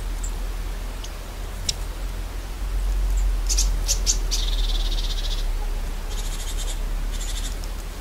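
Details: A winter flock of long-tailed tits at a suet cake feeder in a UK garden gives high, thin ticks and short buzzy trills in quick bursts over a low rumble, amid pecking and chasing, possibly a minor dispute over feeder position.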